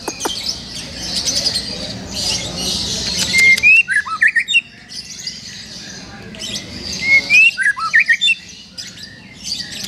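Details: Young forest-caught white-rumped shama with a repertoire of wild material: short bright whistled phrases and sharp chipping notes in bursts, pausing between phrases, over a low background hum.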